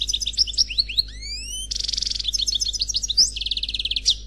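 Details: Singing European goldfinch, a khalwi bachelor male: bright twittering song of quick high chirps, a set of rising whistled slurs, then dense fast buzzy trills and a sweeping note, with a steady low hum beneath.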